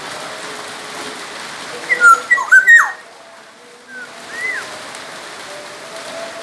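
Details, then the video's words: Black-naped oriole from Sumbawa, singing vigorously as a tutor for other songbirds: a quick run of three or four fluted whistled notes, then softer slurred whistles after a pause, over steady hiss. "kepodang emas gacor | suara burung kepodang emas gacor asli sumbawa masteran kepodang emas"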